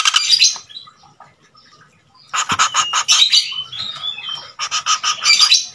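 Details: Male Common Flameback calling out for a female: fast stuttering rattles of dry notes, around four per second, come in bursts. Brief high squeals and a short whistle sit between them.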